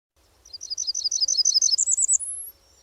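Blackburnian Warbler song: a thin, very high series of quick paired notes, ending in an extremely high, thin upslurred note at the edge of hearing.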